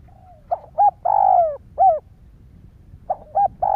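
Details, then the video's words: Spotted dove cooing to stimulate other doves: a short phrase of rounded, slightly falling coos, including one longer drawn-out note, pauses, then repeats the opening notes near the end; faint low rumble beneath. "Tiếng chim cu gáy kích bổi"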